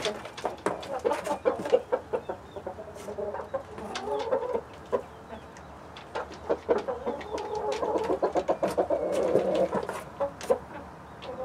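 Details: Mixed flock of chickens, Light Brahma, Barred Plymouth Rock and White Leghorn hens with Rhode Island Red roosters, clucking steadily, about four short clucks a second, rising into a louder murmuring chorus near the end, with pecking clicks.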